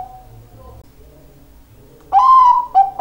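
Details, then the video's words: Bangkok-type zebra dove singing actively: a soft coo, a quiet stretch with faint low rumbling, then a loud, long, clear hooting note followed by shorter coos. "perkutut bangkok gacor"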